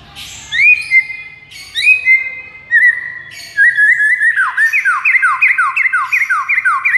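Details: White-rumped shama master song for luring rival shamas. Rising whistled notes are repeated with short gaps, then the bird rushes into a steady train of quick descending whistled slurs.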